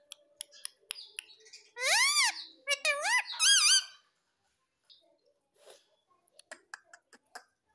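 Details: Pet ringneck parrot, a green rose-ringed parakeet kept at home, giving three loud harsh arched screeches with wavering bends. Soft tapping clicks come before and after, and the room is otherwise quiet.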